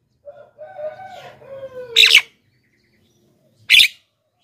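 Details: Black-winged myna (jalak kebo) played as a lure for wild birds and to prompt lazy captive singers: a low, drawn-out harmonic tone slides downward, followed by two loud, harsh, rasping bursts separated by a short silence.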